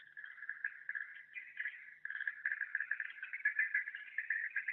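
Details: Swiftlet 'suara tahan' internal call: a continuous, buzzy, rapidly pulsed twitter with uneven swells in loudness and a brief pause near two seconds.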